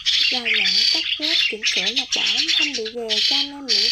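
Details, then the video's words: Migrating starlings, white-headed type, in a trapping lure recording: loud harsh rasping squawks in bursts, mixed with wavering, bent nasal notes repeated in quick chattering runs. "Tiếng Sáo Đá Di Cư - Sáo Đầu Trắng"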